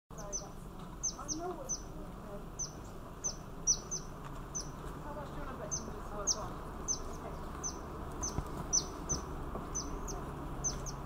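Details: Yellow-bellied fairy-fantail, a small yellow-grey bird about 8 cm long, in Thailand, giving very high, thin, sharp notes about once or twice a second, over a steady broad background rush.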